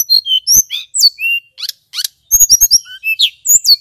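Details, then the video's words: Male tledekan gunung flycatcher in excited lure song: thin, very high whistles, upward sweeps and clipped chips, in quick phrases separated by short gaps. "Suara Tledekan Gunung PIKAT"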